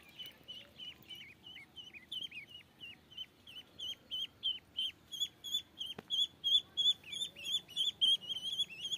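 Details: Ducklings peeping: a steady stream of high, thin, slightly bending peeps, roughly three each second, growing louder and more insistent toward the end, with a single sharp click midway.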